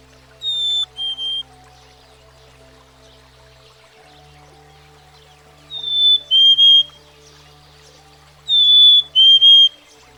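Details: Black-capped Chickadee, a common American backyard bird, singing clear whistled two-note phrases, a higher note sliding down to a lower one, given three times about four seconds apart over a faint steady low background hum.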